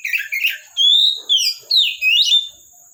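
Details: Oriental magpie-robin from a bird collection, singing actively: scratchy warbling first, then loud clear whistled phrases, a long level whistle followed by three short slurred notes rising and falling, over a constant thin high hiss.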